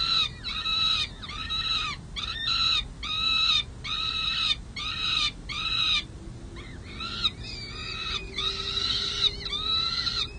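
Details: Peregrine falcon chicks at San Jose City Hall, 23 May 2022, clamouring for lunch. Harsh, raspy, arched screams repeat roughly every half second in a steady run, with a brief pause midway before resuming.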